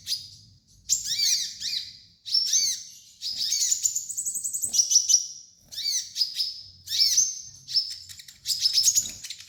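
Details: High, busy song of a sunbird (kolibri ninja) used as a training master. Dense twittering phrases with downward-hooked notes run almost without pause, and a sustained level whistle rises out of them midway.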